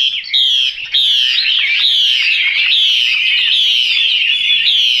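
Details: Chinese hwamei delivering a loud, unbroken warbling stream of high whistled notes, wavering up and down for five seconds with little pause.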